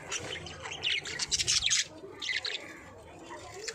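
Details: Budgerigars chirping: bursts of high, scratchy twittering notes that rise and fall quickly, busiest in the first half, then thinning to a few quieter chirps.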